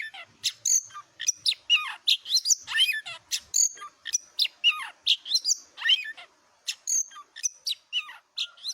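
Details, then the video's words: Tame white-rumped shama perched on a handler's hand, singing steadily: rapid, varied phrases of bright whistles, chirps and sharp upward and downward sweeps in near-continuous succession, with faint low knocks early on. "Burung KACER JINAK gacor nangkring ditangan pemaster handal"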